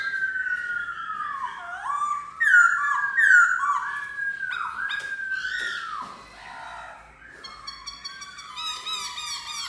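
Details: Black-throated laughingthrush singing a rich, loud whistled song of long slurred notes that sweep down and then rise, with brief sharp accents. A pause follows, then a closing run of quick, bright, ringing notes.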